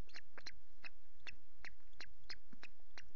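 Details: Ospreys at a Loch Garten nest on 5 July, with a female and chicks, recorded by nest camera. A rapid series of clipped, high chirping notes repeats roughly three times a second over a steady low hum.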